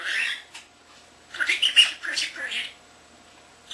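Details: Pet common starling, under a year old, talking and whistling indoors; scratchy, raspy bursts of mixed high notes, a short opening phrase then a dense chattering run after a pause.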